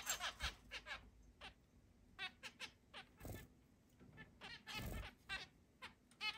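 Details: Eight caged zebra finches indoors, 10 July 2022: repeated short nasal toots and honks from several birds, spaced irregularly through the recording, with soft rustling and occasional bumps.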